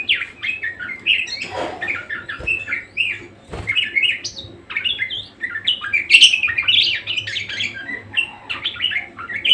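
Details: Budgerigar singing nonstop, a busy stream of buzzy twitters, squeaks and scratchy chirps, with a couple of soft knocks in the background.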